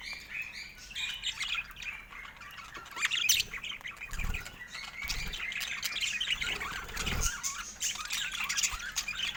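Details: A budgerigar kept as a pet, playing with its owner. It chatters in a continuous warbling stream of scratchy twitters and squawky notes, with a few low thumps of handling.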